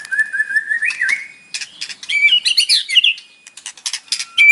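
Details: White-rumped shama singing in the morning, its voice used to provoke a captive bird into song: a rich, varied high-pitched run of whistles, rising slurred notes and rapid chattering phrases, ending on a clear loud whistle.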